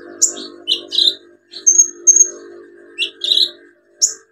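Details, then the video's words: Olive-backed sunbird singing as therapy for sunbirds that have gone quiet: bright high chirps and two short thin whistled notes, over a steady low hum. "KOLIBRI NINJA SUPER GACOR NEMBAK ISIAN BUAT TERAPI PANCINGAN KOLIBRI NINJA MACET BUNYI"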